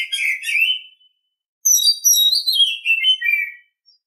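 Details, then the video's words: Oriental Magpie-Robin singing in the morning: a short bright warbled phrase, a pause, then a longer run of clear whistled notes sliding downward from high sweet tones into lower chattering trills. "Nghe chim chích chòe than hót hay mỗi sáng"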